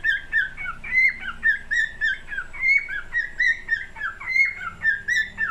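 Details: A singing cockatiel delivers rhythmic whistled phrases, each note swooping and bending, repeated in quick succession with a chattering edge between them.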